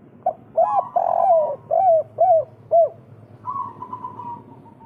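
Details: Local spotted dove giving its 'kuk 3' call, played to spur other doves' breeding urge: a short note, then five loud, arched, throaty coos in quick succession, one long and drawn out, then a steady, slightly falling higher tone.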